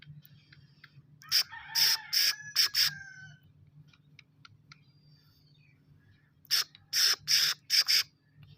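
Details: Young black francolin of a good breed, calling for the first time. Two rapid runs of loud, harsh, scratchy notes, about five notes each, separated by a quiet gap, over a constant low hum.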